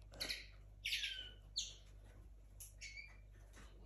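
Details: Pet linnet hybrid from 2022, kept indoors in its early days, giving short separate chirps: bright, high notes spaced irregularly, each under half a second, over a quiet indoor hum.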